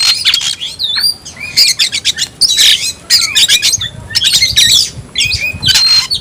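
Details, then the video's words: Oriental magpie-robin (kacer) in a cage, singing the tayoraky variant: rapid harsh rattling bursts alternating with looping whistles and short descending slurs. "kacer rasa tayoraky varian baru‼️bikin suara kicau burung Kacer gacor dan ngotot buka ekor"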